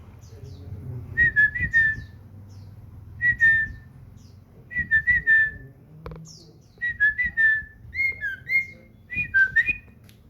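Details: Common iora kept at home and singing actively: short phrases of two to four clear whistled notes, each flicking downward, repeated about every one to two seconds. There is low background hum indoors.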